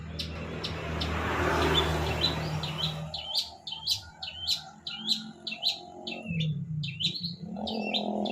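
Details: Long-tailed shrike song: after about three seconds of rumbling vehicle noise, a run of short, sharp, hooked chirps repeats quickly and unevenly over a low background hum.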